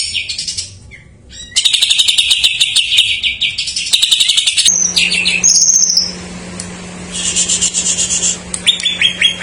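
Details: Greater green leafbird with jamtrok fill-ins, used to coax untrained or silent birds into song: buzzy rattling chatter bursts, then clearer high whistled notes and short sharp phrases.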